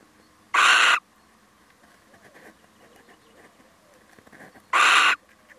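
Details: Two loud, grating screeches roughly four seconds apart come from a male little owl dropping by. Soft rustling fills the gap between them.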